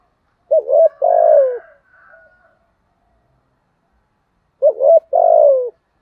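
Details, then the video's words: Caged decoy spotted dove cooing in the standard giọng thổ manner, two phrases roughly four seconds apart. Each has a quick warbled double note and then a long throaty coo that drops at the end, with faint softer notes trailing. "tieng chim cu gay thuc gu/ cu mồi giọng gáy bài bản, cu gáy giọng thổ, cu gáy"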